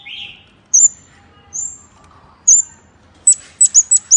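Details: Lure call of a scarlet-backed flowerpecker: a low slurred twitter, then three drawn-out, very high thin whistled notes spaced under a second apart, ending in a quick run of four sharp high ticks.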